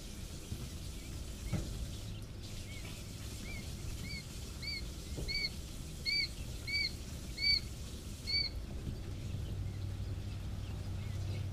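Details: Three-day-old quail chicks peeping: a run of about nine short, thin, high-pitched arched peeps, roughly evenly spaced across five seconds, over a soft steady low hum.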